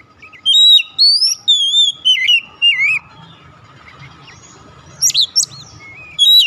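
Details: Oriental magpie-robin used to bring a silent bird into song: loud clear whistled phrases, rising and falling slurs in bursts, some sharp high notes near the end, faint low hum beneath.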